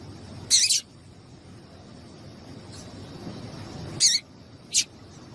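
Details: Female double-collared seedeater calling to stimulate a male to sing: three short, sharp, high chirps, two close together near the start and a pair about four seconds later, over a soft low hum.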